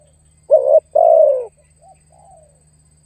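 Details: Spotted dove calling to lure and challenge a rival: two low, hollow coos, the second longer and gently falling, followed by faint softer notes and the start of another coo.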